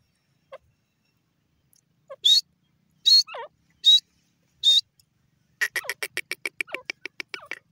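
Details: Grey francolin calling: several loud, shrill, harmonic-rich notes spaced roughly a second apart, then a rapid, fast-repeating series of sharp notes building toward the end, against a quiet background.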